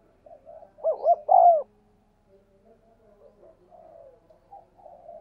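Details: Spotted dove coo, used to train decoys and attract wild doves. A soft lead-in gives way to a short, rich, rolling phrase of three hollow notes, the last one longest, followed by faint low murmuring.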